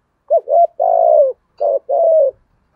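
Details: Spotted dove cooing in the 'giọng thổ' style, played to excite a lure bird: two quick hollow notes followed by a long steady coo, then the pattern starts again with a clipped note and another drawn-out coo.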